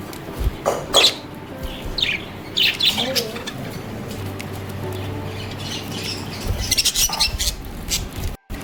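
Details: A pair of healthy pet budgerigars eating soft food give bright, scratchy chirps in short bursts over a low background hum.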